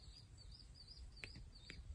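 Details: A family of Swallow-tailed Kites, a parent and two full-grown young constantly begging for food, at J.W. Corbett WMA, Florida, over an agricultural field: thin, high, arching whistles, about five in two seconds, over a steady low rumble of wind.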